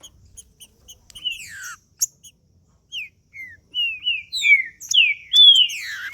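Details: Green-winged saltator singing in the male style, played to warm up another bird: soft repeated chip notes lead into loud, clear whistled phrases that slur down and up, and the phrases grow fuller toward the end.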